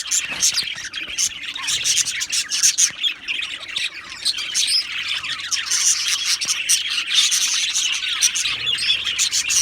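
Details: Australian budgie colony chattering in an aviary, constant high-pitched chirps, warbles and squawks from many birds, with a faint low rumble in the background.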